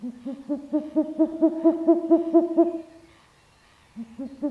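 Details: A Short-eared Owl, heard at night, gives its repetitive hoot: a quick run of low, hollow hoots, about four a second for nearly three seconds, then pauses before starting again.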